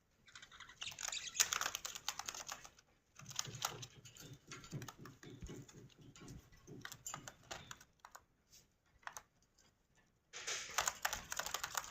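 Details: Bursts of quick, dry clicking and tapping come and go, much like typing on a computer keyboard indoors. No bird or other animal call stands out from the clatter.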